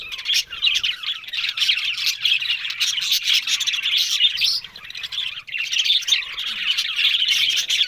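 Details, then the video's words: A group of budgerigars talking, recorded on October 1: loud overlapping high chirps and scratchy warbles form a steady wall of chatter, briefly dipping near the middle before rising again. "Beautiful Budgerigars Talking"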